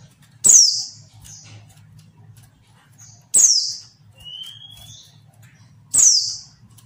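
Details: Three loud, steeply falling high chirps from a female Mountain White-eye arrive about every three seconds, with one thin rising whistle between them. The calls are used to make quiet males sing quickly, as in the wild. A soft low hum runs beneath.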